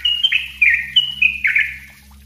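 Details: Brief burst of sooty-headed bulbul song, dense and energetic, used to train other birds: a handful of bright slurred whistles in quick succession over a steady low hum, then fading out.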